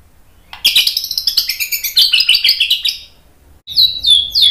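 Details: White-rumped shama song used to lure and excite other birds into singing: a rapid run of high chirping notes, a brief pause, then a few sharp, clear downslurred whistles.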